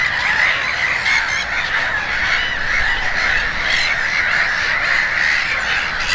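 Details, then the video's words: Gulls at Konstancin-Jeziorna calling together in a dense, continuous chorus of overlapping harsh, nasal squeals and mewing cries, with no pauses between birds. "GŁOS MEWY-THE VOICE OF THE SEAGULL"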